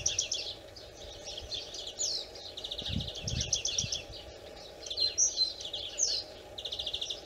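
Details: European greenfinch singing: rapid twittering trills and chirps around high pitch, in repeated bursts with short pauses, over steady low background hum and a couple of low thumps.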